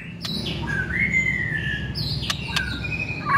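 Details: White-rumped shama song used as a lure to make another shama sing: long whistled tones sliding gently downward, mixed with sharp clicks and short high notes, over a low background rumble.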